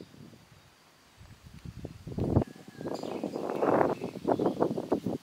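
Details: A Eurasian jay at Ribniki in the Draga valley on 25 May 2023 gives harsh, rasping bursts that grow louder and come in quick ragged runs over the last three seconds, with faint rustling in the background.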